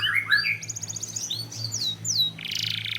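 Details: Canary song used as a lure to set other canaries singing; varied quick phrases of rising and falling whistles, fast buzzy trills, and swooping slurred notes, over a low steady electrical hum.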